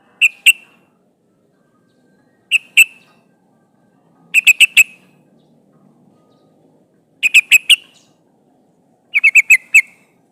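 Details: Female yellow-vented bulbul calling to a male, used to lure wild birds: sharp notes building from pairs to rapid bursts of four or five, spaced about two seconds apart.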